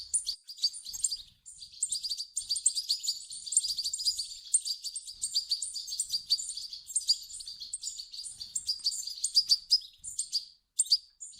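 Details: Goldfinch chicks begging, sound meant to encourage an adult European goldfinch to sing; a nearly continuous stream of sharp, high twittering notes, dense and busy, pausing only briefly near the end.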